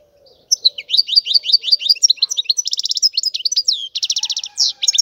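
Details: European goldfinch singing, a close, loud run of high twittering notes mixed with two dense buzzy trills and sharp downslurred whistles, nearly continuous for four and a half seconds.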